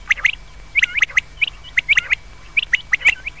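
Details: Common quail calling, presented as a sound for night use: sharp, high chirped notes in quick clusters of two or three. The clusters overlap irregularly, like several callers, over a faint steady hum and a thin constant tone.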